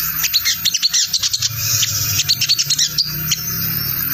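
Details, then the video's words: Sunbird lure sound in the 'ngriwik' style, played so any wild crimson sunbird will reply: fast clusters of thin, high, scratchy notes, about two bursts per second, uneven, over a low background hum. "Suara sogon ngriwik untuk pancingan sogon bahan prospek"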